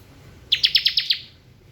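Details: Bar-winged prinia singing in the ngebren style: a quick burst of six sharp, high, downward-sweeping chirps in about 0.6 seconds, each starting with a bright accent and fading, over a quiet background.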